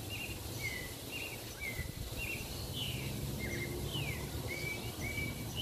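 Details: Tropical mockingbird (Mimus gilvus) singing from a balcony in Parque Lefevre, Panama City: short, varied whistled phrases, some rising, some slurred downward, about two per second, over a steady low rumble of background noise.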